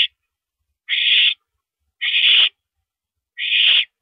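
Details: Owl heard at a nighttime mouse delivery on 13 April 2012, 9:17 PM: broad, noisy hissing screeches of about half a second, three in quick succession, otherwise silent.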